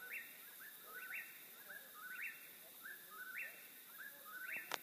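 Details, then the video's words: Eastern whip-poor-will giving its repeated whistled phrase, each one climbing steeply at the end, about five phrases in under five seconds over faint background hiss, ending with a sharp click. "Wiper Will Call"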